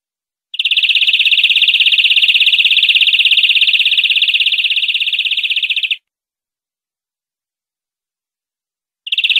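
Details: European greenfinch song from a clean tutor recording for educating caged birds: a five-second rapid, rattling trill at a constant high pitch, a three-second silence, then the start of another trill.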